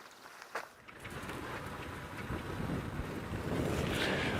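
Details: Outdoor wind and a rumbling vehicle engine that grow steadily louder, with gusts buffeting the microphone and no animal calls.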